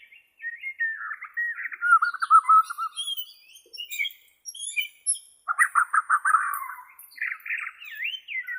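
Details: White-rumped shama from Borneo, used for training captive shamas: rich varied song with a descending warbled phrase, a fast rattling trill, and looping whistled notes, with softer high chips mixed in.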